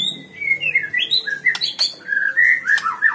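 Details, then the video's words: Contest white-rumped shama delivering clear melodic whistles. Sweet, smooth notes glide up and down in short phrases, with a few sharp clicks between them and soft murmuring underneath. "GANTANGAN MURAI BATU || GACOR DORRRR"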